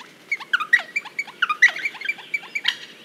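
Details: Wattlebird from Australia giving a rapid, chattering run of short, harsh notes, about three or four per second, clustered and uneven in rhythm, with a quiet background.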